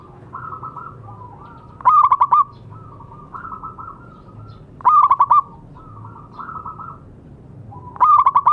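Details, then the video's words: Zebra dove, local type, used to prompt silent doves into song: a stuttering rapid burst repeats every three seconds, alternating with softer rolling coo phrases at a similar pitch. "Perkutut lokal gacor suara bagus untuk terapi yang macet bunyi."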